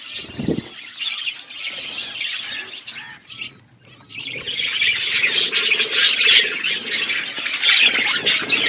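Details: Several budgerigars chatter in high, buzzy twitters; the chatter briefly quiets at mid-clip, then swells into dense, loud warbling.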